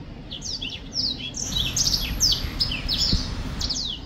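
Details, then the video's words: Black-throated finch singing a busy run of thin, high downslurred whistles and chirps, about two or three a second, over a low steady hum. "Black throat finch singing / 黑喉燕歌唱"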